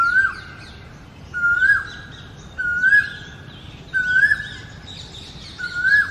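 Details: Territorial male Asian koel perched on a ficus tree in India, breeding season coming: five ringing whistled notes, each rising then dropping sharply, repeated roughly every 1.3 seconds, with high twittering of other birds in the background.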